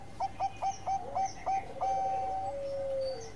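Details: Zebra dove (perkutut) singing: a run of short, evenly spaced cooing notes that speed up slightly, then run into two long, level, whistled tones that fall gently at the end, over a faint low hum.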